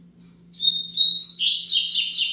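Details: Braddock-type 'Tui Tui Zel Zel Top' tutor song of the Double-collared seedeater for young learners: high clear whistles lead into three loud, harsh descending buzzy notes in even succession, with a faint steady hum underneath.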